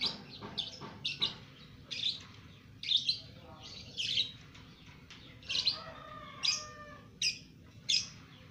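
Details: Caged two-month-old lovebird performing ngekek song; rapid harsh chips early, then spaced buzzy squeaks nearly every second, low hum in the background.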